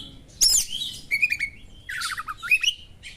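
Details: Sharp small-bird-style song from an Oriental magpie-robin, aimed at exciting a magpie-robin: a loud, high burst, then a run of rapid, buzzy, flat whistled notes and a wavering, rolling warble ending in rising chirps.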